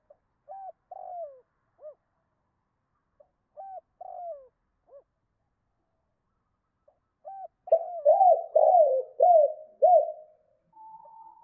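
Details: Spotted dove cooing in the 2 cốt and thúc lợi cốt styles, a recording meant to rouse wild doves (kích bổi): short hooked coos in two groups, then a loud run of five rolling, falling coos, clean quiet background.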